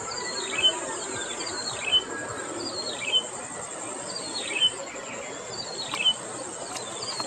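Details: At Okhla Bird Sanctuary, a yellow-bellied prinia (pili piddi) gives five quick tumbling phrases, each a sharp downward-sliding twitter closing on a pure tone, spaced roughly a second and a quarter apart, with constant high-pitched insect drone behind.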